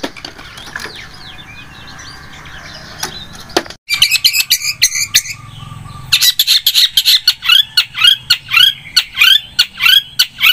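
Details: Long-tailed shrike singing vigorously: after a quiet, noisy start, loud harsh notes burst in and repeat rapidly in quick series, high-pitched and buzzy, growing denser toward the end.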